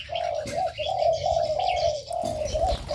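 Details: In an aviary, long, low, steady hooting notes run almost without a break, with only faint high chirps in the background.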